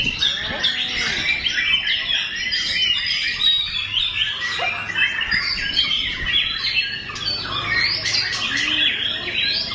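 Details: White-rumped shama in full song: fast, tumbling sequences of high chirps, whistles and trills run without a break, with a faint low hum in the background.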